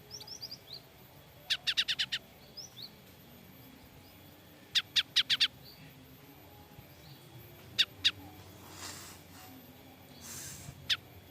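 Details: Java sparrow calling in fright: clustered bursts of hard, clipped chips, five or so at a time, then single sharp notes, with faint high upslurred tweets early and brief hissy noise near the end.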